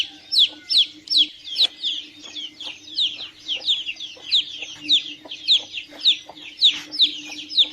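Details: Chicken chicks peeping: a steady run of high, thin, downward-slurred peeps, about two to three each second, overlapping as if from several birds, over a faint constant low hum.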